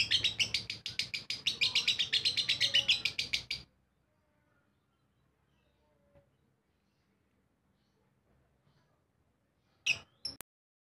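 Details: Lovebird giving ngekek song: an unbroken stream of rapid, shrill chattering notes for about three and a half seconds, then silence, then one short chattering burst near the end.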